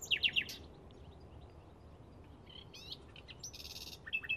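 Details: Bluethroat in May 2016 gives three rapid high chirps, then a varied run of squeaky notes, a dry buzzy rasp and a thin whistle, over a faint background hiss.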